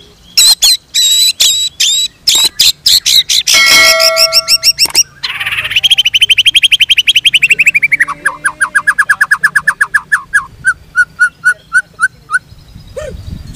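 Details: Caged white-rumped shama, locally called murai blorok, singing loud sharp clicks and bursts, a long rising buzzy trill, then a fast run of repeated ringing notes slowing toward the end, with faint background noise.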